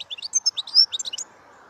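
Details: Brief burst of European goldfinch song: about a dozen quick, high, liquid chirps and twitters, with one longer whistled note in the middle.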